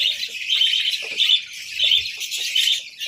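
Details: Budgerigars chirping over a winter breakfast of boiled eggs and bread: a short burst of shrill, tightly packed twittering with faint clicks.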